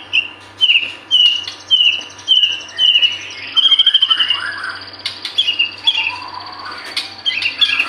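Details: White-rumped shama in full, persistent song, played as a lure to get birds singing: a run of clear whistled notes repeated roughly twice a second, then a rapid rattling burst and more bright whistles, with faint low hum.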